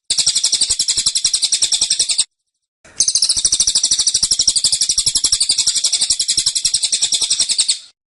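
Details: Caged cililin with dense, insistent 'tembakan' song. Two volleys of very quick, high, penetrating chirps, around four per second, separated by a half-second break. The second volley lasts about five seconds.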